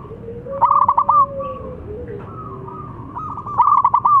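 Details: Zebra dove song meant to provoke rival doves into answering: a fast, bubbling, pulsed trill runs into long, steady cooing notes, then a second trill phrase follows, with a fainter, lower coo running underneath.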